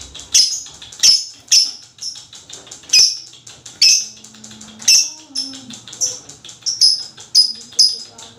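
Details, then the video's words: High piercing lovebird chattering, used to draw other lovebirds into song: loud shrill chirps roughly every half second over a busy rattling background, with a faint low tonal hum rising midway. "AMPUH MEMANCING LOVE BIRD ANDA JADI GACOR NGEKEK PANJANG"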